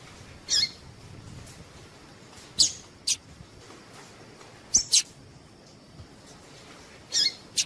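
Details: Calls of a female double-collared seedeater, known locally as coleiro tui tui, used to get males singing: brief high-pitched chips, some in quick pairs, at irregular gaps over low background noise.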